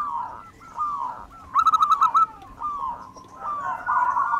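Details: Zebra dove of local wild stock: mid-pitched cooing notes with one loud, rapid, pulsing burst, set against a noisier, hissy background.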